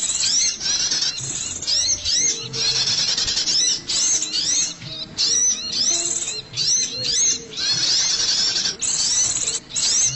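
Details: Scarlet-headed flowerpecker lure call, described as clear and effective for trapping. Piercing high sweeping notes come in rapid repeated bursts with brief pauses between them, recorded loud and slightly distorted.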